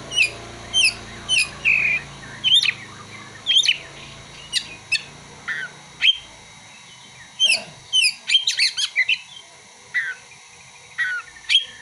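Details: Oriental magpie-robin (kacer) song with prinia and sunbird imitations: regularly spaced sharp whistled notes about every half second, then a denser burst of high chips before the spaced notes resume.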